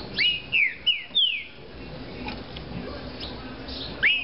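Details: A caged green-winged saltator of the fibra type gives a quick run of four clear whistles that slide downward. A long quiet gap follows, then one more whistle at the end.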